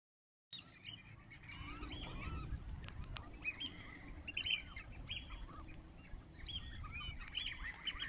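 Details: South Island pied oystercatcher colony at Mangere, New Zealand, in a crowded chorus of shrill overlapping piping and short sharp notes from many birds, over a steady low rumble of wind.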